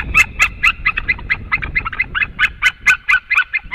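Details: White-tailed eagles, male and female, calling as they come home to the nest; a fast, slightly uneven string of harsh yelping barks, about four per second, over low rumbling noise.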